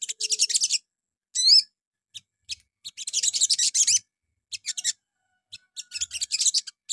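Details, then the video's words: Crimson sunbird song played in the morning to provoke other birds to answer: bursts of rapid, high, dense chattering trills with one looping whistled phrase, broken by short pauses. "PANCINGAN PAGI HARI SOGON LANGSUNG NYAUT"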